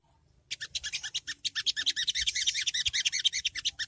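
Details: Songgo ontong shrike giving its riwik chatter, used as early training audio to provoke caged birds into answering: a fast, steady run of harsh, scratchy notes, about nine per second, that starts abruptly after a brief quiet moment.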